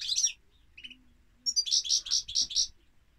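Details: Goldfinch song: a tinkling opening phrase, then a run of six rapid, evenly spaced liquid notes, each a bright trilled chirp, ending abruptly in quiet.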